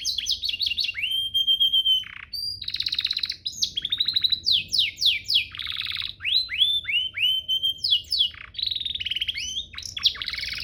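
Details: Canary master song used to train canaries into vigorous singing: bright trills, steady whistled notes, buzzy rolls and runs of downslurred notes, delivered in quick varied phrases.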